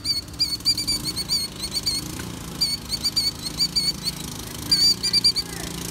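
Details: A female Killdeer protecting her nest gives rapid bursts of high, thin piping notes, several quick 'dee' calls in each run, over a low steady rumble of wind or distant traffic.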